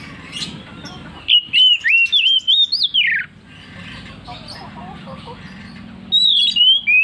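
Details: Oriental magpie-robin song in the persistent ngeplong style: a loud phrase of looping, wavering whistles about a second and a half long, then quiet chatter and soft noise, then a fresh whistled phrase starting near the end.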